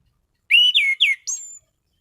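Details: Orange-headed thrush (anis cendana), a caged songbird in full voice, gives four rich whistled notes in quick succession: a rising note, two falling slurs, then a thin high whistle, loud and clear in a quiet room.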